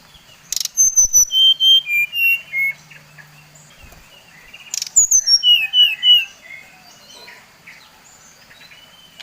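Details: Bali brown-chested jungle flycatcher lure song to anger rival birds: two phrases of clear whistles tumbling downward in steps, a low hum in the background between them.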